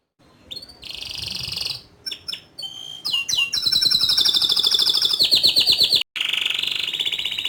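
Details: Vigorous canary song with ngerol rolls and nembak bursts, starting with short trills and clipped notes, then building into a long loud high rolling trill that steps down in pitch.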